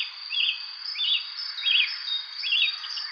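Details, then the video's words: One bird chirping on a spring evening, giving four similar brisk, slightly rising chirps about every seven tenths of a second against a steady shrill insect drone. "Relaxing evening spring birds chirping sound effect"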